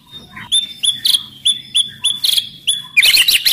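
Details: Loud, lively white-rumped shama song meant to provoke other shamas to sing and fight. Sharp, bright whistled notes come in a quick, steady series, and the phrase ends in a rush of jumbled chirps.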